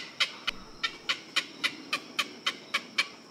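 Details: A flock of egrets in a wetland gives a fast series of about a dozen short, harsh, raspy notes, roughly four per second, over a faint background hiss.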